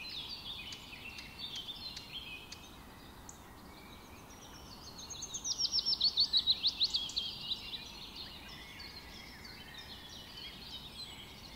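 A Chestnut-tailed Starling gives a quick, high, chattering run of about fifteen squeaky notes over two seconds, with soft twittering from other birds behind.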